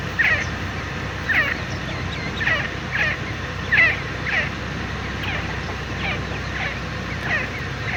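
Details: Grey partridge, known locally as teetar, giving a long series of harsh, shrill notes, roughly two per second, some loud and some fainter, over a steady low rumble of background noise.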